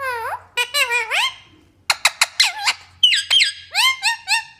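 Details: Nonstop talking pet parrot giving rapid squeaky, speech-like syllables, some rising in pitch, broken by sharp clicking bursts and a short pause midway.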